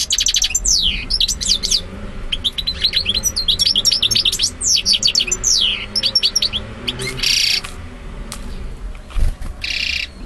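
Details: Male European goldfinch singing to a female, who accepts him: a rapid, continuous run of bright twittering notes with liquid trills and downward-sweeping chirps, broken by short buzzy wheezes near the end; dense and high-pitched throughout, with no other clear sounds.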